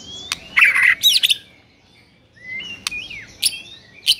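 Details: White-rumped shama singing a morning masteran for rival birds: a harsh burst of scratchy notes, a pause, then clear rising and falling whistles broken by sharp clicks.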